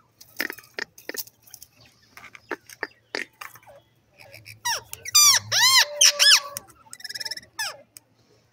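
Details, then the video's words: Indian ringneck green parrot calling, first giving a scatter of short sharp clicks, then loud harsh squawks with arched, bending tones in bursts around the middle and again near the end, with short quiet gaps between. "indian ringneck green parrot talking,parrot beautiful calling"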